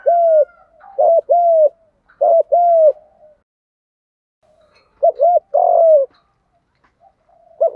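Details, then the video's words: Male and female spotted doves giving Đồng-style coos meant to stimulate newly caught birds to coo; two-part phrases of a short hooked note and a drawn-out falling coo, three phrases, a pause, then more. "cu gáy giọng Đồng thúc gù cực căng giúp bổi đang chớm nổi gáy theo sung mãn cả ngày"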